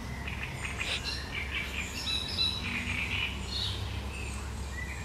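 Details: Sharp, chattering song of a great reed warbler, recorded 1 July 2020: a continuous run of harsh, varied chirps and rasping notes with a loud peak midway, against low background noise.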